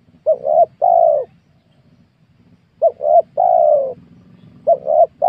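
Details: Spotted dove calling steadily in a young oil palm plantation on freshly cleared ground, during luring of wild doves; repeated gentle phrases of two short notes and a longer coo, roughly every two seconds, with low background murmur.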